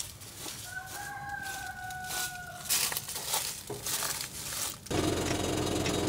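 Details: A rooster at a woodland camp on private property gives one drawn-out crow of about two seconds, steady and slightly falling at the end, then rustling, footsteps and a burst of loud rushing noise.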